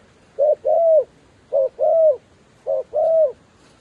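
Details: Paired coos from a decoy dove calling wild doves down: a brief hollow note then a longer arched coo, repeated three times at an even pace.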